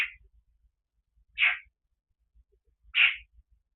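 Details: Pet African grey parrot, which talks to the TV when no one is home, gives three short bright squawk-like bursts about a second and a half apart, with faint low thumps between them indoors.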